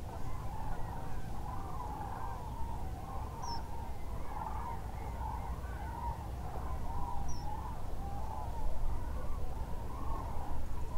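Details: Common crane flock at the Lac du Der-Chantecoq migration stopover, northern France, leaving the lake roost around daybreak to feed: many overlapping rolling, bugling notes merging into a continuous chorus over a heavy low rumble.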